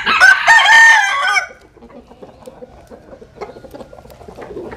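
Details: Rooster sunning itself, letting out one loud, rasping, harmonic crow lasting about a second and a half. Faint clucks and pecking clicks continue afterward.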